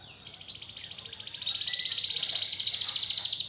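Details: Canary song used as a lure to get a lazy canary singing again: one long continuous high trill of rapid repeated notes, steady and growing slightly louder, over a faint low hum.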